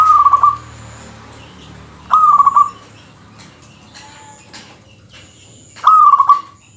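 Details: Zebra dove, a local bird, singing to provoke rivals: three well-spaced, quick stuttering trills, each about half a second long, separated by pauses of nearly two seconds with faint background noise.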